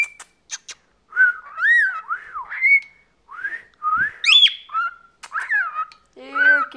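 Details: A 14-year-old male pet cockatiel that calls almost constantly chatters in a string of clear whistled notes that rise and fall, with short pauses between phrases, ending on a harsher, speech-like note.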